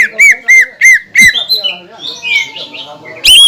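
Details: Greater green leafbird heard in a lure recording for other leafbirds: four loud, evenly spaced arching whistles, then quieter jumbled chatter and one final strong note.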